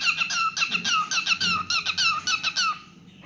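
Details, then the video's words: Indoor pet cockatiel song, a string of bright squeaky whistles, each note sliding downward, repeated roughly twice a second before fading out near the end. "Adorable Cockatiel Milo's Cute Singing Moments"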